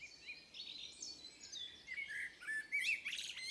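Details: Forest birds near Moesgaard Museum, Beder, Aarhus, Denmark. A mix of thin whistles and short chirps from several birds, with a brief clear upslurred note and a louder chattering flurry at the end.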